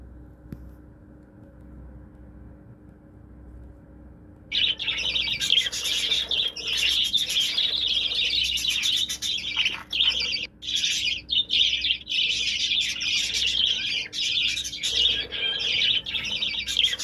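A budgerigar chatters in a fast, continuous stream of high chirps and squeaky warbles.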